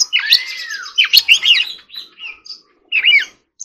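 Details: Forest-voice singing by an Oriental magpie-robin in training, opening with a smooth arched whistle, then a burst of warbled notes, a soft pause and a final short phrase.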